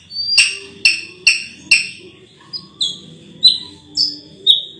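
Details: Ruby-throated bulbul delivering four sharp, clipped notes in quick succession, followed by a run of short whistled slurs, several dropping in pitch.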